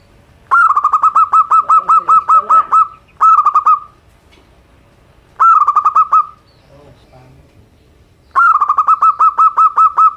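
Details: Local zebra dove singing plainly, as therapy for birds unwilling to sing: four phrases of quick, evenly pitched stuttering coos, separated by short pauses.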